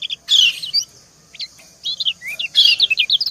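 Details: Female white-eye (kecial) calling to entice a male, the pair answering each other: rapid high, thin chirps and short downslurred notes in two bursts separated by a brief pause.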